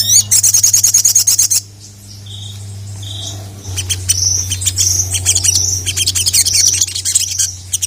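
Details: Ruby-cheeked sunbird in full voice, calling out rivals so other males answer and grow agitated: a rapid burst of high ticking notes, two short clear whistled notes, then dense shrill twittering, over a steady low electrical hum.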